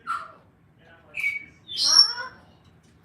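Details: Angry pet cockatoo, a rescued parrot in a home with other parrots, upset at being filmed: three short, harsh squawking bursts, the last a longer, louder screech with a sliding, wavering tone.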